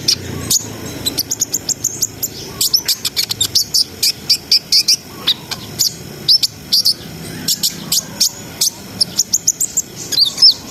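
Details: [7, 'Brown-throated sunbird in a sustained ngriwik, ngerol and nembak song meant to raise breeding arousal. A long stream of rapid high-pitched chirps and ticks, steady in pace, with occasional twisting whistled notes.']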